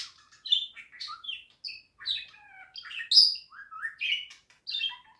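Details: Pet-bird listening song of a budgerigar: continuous twittering of short chirps, downslurred whistles and a loud high squeak, delivered in quick uneven bursts without long pauses.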